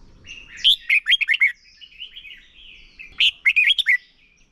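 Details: Contest-singing Red-whiskered bulbul used as a lure bird for training. A loud chattering phrase of quick, bouncing notes, then a thin wavering whistle, then another punchy five-note burst.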